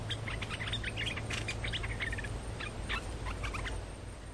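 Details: Lure song of a streak-eared bulbul. Quick series of bright chirping and whistled notes in uneven bursts, some brief pauses, over a steady low-pitched hum.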